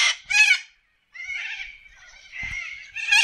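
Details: Wild corellas calling in forest, Australia: two sharp loud screeches, a pause, then drawn-out rasping calls ending in another harsh shriek.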